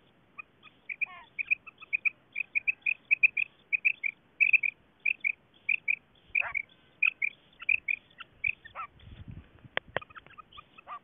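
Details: Female quail, linked to quail hunting, giving a long run of short high piping notes, mostly in pairs, against faint steady background hiss and a few sharp clicks near the end.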